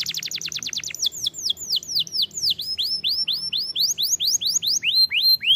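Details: Hard-working canary singing to stimulate young canaries: a fast high trill breaking into a long series of loud swooping slurred whistles, each arching up and down, roughly three to four per second.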